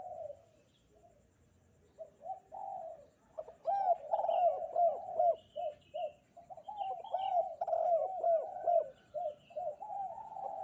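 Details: Spotted dove cooing vigorously on a bright morning: after about two seconds of near-quiet, a run of low, rounded coo notes, some doubled, repeating in close succession with short gaps, fainter softer notes in between.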